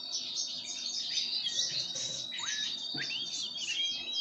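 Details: Pine grosbeak during a sunflower-seed feeding, uttering rapid high chirps mixed with a few downward-sweeping whistles and a brief lower click around the three-second mark.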